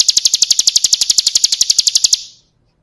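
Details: Bar-winged prinia singing a full-fill song for training cage birds: a single two-second run of quick, piercing, evenly spaced notes that ends abruptly and falls silent.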